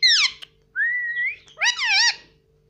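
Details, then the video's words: Pet Indian ringneck parrot kept indoors, mimicking words such as "mummy" and "papa": a descending harmonic syllable, a smooth rising whistle, then a wavering, richly harmonic word-like phrase, all in a quiet room. "papa bolne vala indian parrot"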